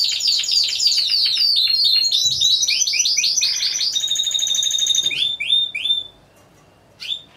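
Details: Timbrado Español canaries competing as a four-bird team, November 2015: rapid chopped notes, rising slurred phrases, a level metallic roll, then scattered upswept chirps and a quiet pause.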